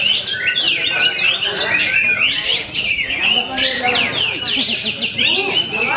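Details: Cotton bird competing in a singing contest, a continuous busy high song of fast chirps, trills and sweeping whistled notes, dense and loud, with other competing birds and crowd voices in the background.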